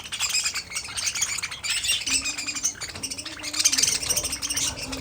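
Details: Budgerigar warbling in bursts of high, rapid chirps and squeaky twitters, swelling and easing every second or so, with a low steady hum-like tone underneath in the second half.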